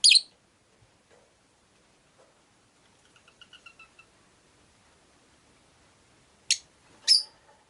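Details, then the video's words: Rosy-faced lovebirds caged beside a window, five birds present: a sharp rasping chirp opens, a quiet series of soft tonal pips follows mid-way, then two more harsh chirps close out the stretch. "Lovebird Chirping Sounds"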